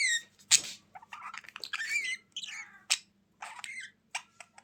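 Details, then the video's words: Budgerigars chattering indoors: squawky bursts alternating with warbling, wavering whistled notes and chirps in quick, irregular phrases, a faint low hum throughout. "Budgies Sounds for lonely birds to make them Glad"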